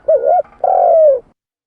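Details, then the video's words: Spotted dove call used as a bird lure: one mellow coo phrase, a short wavering double note, a brief pause, then a long, even, slightly falling coo. The background is silent. "Suara tekukur pikat mp3 /suara burung tekukur / เสียงนกเขาใหญ่ / Turtle dove sound effects"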